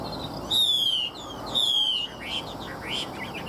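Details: Chinese hwamei giving two long, loud, slightly descending whistles, each with a buzzy edge, about a second apart, followed by short, softer whistled notes over a steady hiss.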